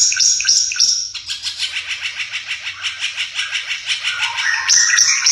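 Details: Ara Mata Merah, a rare bird endemic to East Nusa Tenggara, sings a fast run of bright, down-slurred chips, about three or four a second, between high thin whistles, over a faint low hum.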